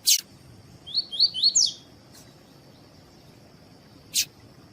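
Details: Captive double-collared seedeater, kept with a female to warm the male up for singing contests: a sharp burst, then a run of four quick rising whistled notes, and another lone sharp note later, on a quiet background.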